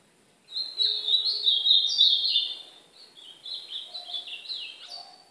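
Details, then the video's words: Training song of a brown-plumaged ultramarine grosbeak, recorded alongside golinha training song; a quick jumbled warble of sharp, slurred whistles starting after half a second, a loud rich run, then softer clipped, repeated descending notes. "1 hora de treino de azulão pardo é golinha meu azulão pardo fogueando"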